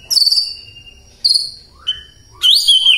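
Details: White-rumped shama song used as a morning lure to get silent shamas singing: separate high whistled notes, some sliding and falling, one rich rising-falling phrase at the end, with short silences between.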